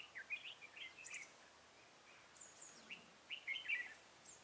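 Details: Red-whiskered bulbul used as a decoy, singing to lure wild bulbuls into a trap; short bright warbled phrases in scattered bursts, two groups of quick rising and falling whistled notes separated by a pause, over faint background noise.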